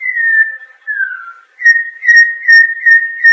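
A Campo Troupial sings clear, mellow whistles: two long, slightly falling notes, then a run of short whistled phrases at a steady pitch, repeated about every half second.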